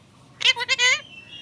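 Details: A talking rose-ringed parakeet (টিয়া পাখি) rattles off a quick three-syllable phrase in a high, nasal, human-like voice, ending in a faint thin whistle.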